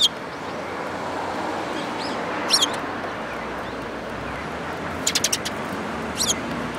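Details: Flock of sparrows drawn to food at a Tenmangu shrine, 11 April 2018; scattered high chirps come singly and in quick clusters of three or four against a continuous background rumble.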